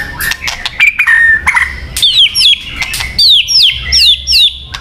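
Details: White-rumped shama song for luring birds; a drawn whistle, then a string of bright hooked whistled notes repeated in quick succession with clicks.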